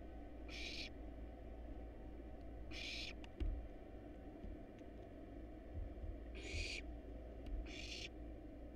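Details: Begging of hungry wild barn owl nestlings in a monitored nest box, eating a rat and a rabbit: four rough, hissing bursts spread over nine seconds, with a thump and scattered rustles against a low steady hum.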